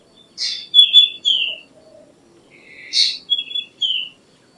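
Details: Two song phrases from a black drongo, two and a half seconds apart: harsh buzzy bursts leading into clear whistled notes that slide downward, over faint soft low sounds.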